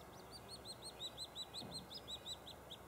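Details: Chirping from a White-headed woodpecker nest at Lassen Volcanic National Park, as nestlings call while the male and female come to the cavity entrance with food. Quick, high, slightly downcurved notes come in a rapid, unbroken run.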